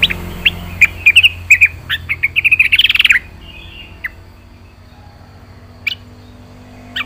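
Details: Yellow-vented bulbul, lively and singing full isian. Scattered sharp notes quicken into a short rattling trill, then fade to a few isolated chips over a low background hum.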